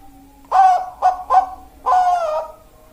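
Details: Zebra dove described as having a 'death angel' voice and suited as breeding stock, giving four hoarse coos: three short notes and then a drawn-out, slightly falling final coo, over quiet background hum.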